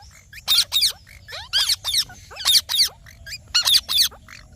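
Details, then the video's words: Green parrot calling with harsh, grating squawks in close pairs, mixed with softer, lower down-slurred whistled notes between the louder bursts. "Green Parrot Natural Sounds"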